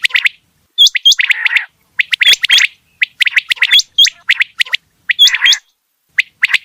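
A quail gives quick bursts of sharp, liquid chirps with little upward-flicking whistles, in clusters about a second long with short pauses between.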